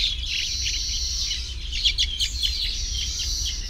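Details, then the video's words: Baya weaver chatter at the nest in a tropical setting: rapid, overlapping high chirps and thin buzzes. Steady low-pitched noise runs underneath. "The Baya Weaver’s Amazing Nests | Tropical Birdlife Sounds"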